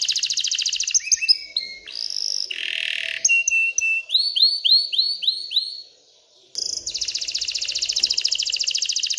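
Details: Excited canary singing to stimulate females to mate and build a nest: rapid trills at high pitch, pure whistled notes, a run of repeated upswept chirps, a brief pause, then a fast dense trill.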